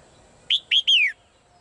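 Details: Female bird calling in a cage: three bright whistled notes in quick succession, the first two short and upslurred, the last longer and sliding steadily downward, over a quiet background.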